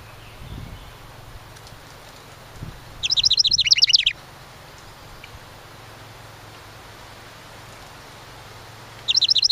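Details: House wren nesting in summer at a cabin birdhouse sings a rapid, bubbling, high-pitched trill lasting about a second, then again six seconds later, over a faint low hum.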